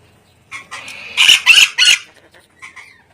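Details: Ornate lorikeet screeching loudly: three harsh, broadband shrieks in quick succession, preceded by a thinner nasal note and followed by a few faint squeaks.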